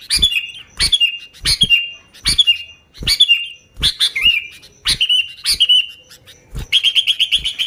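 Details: Sooty-headed bulbul singing vigorously, recorded for luring bulbuls: short whistled phrases about every 0.7 seconds, each with a sharp thump, finishing in a rapid even series of chirps.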